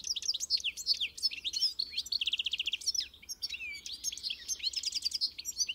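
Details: Continuous European goldfinch song, a rapid liquid jumble of twittering notes mixed with dry buzzy trills and rising sweeps, loud and unbroken throughout.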